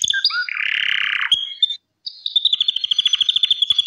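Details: Gloster canary song opening with a dense buzzy warble, then a short gap before a quick, evenly repeated trill of high notes.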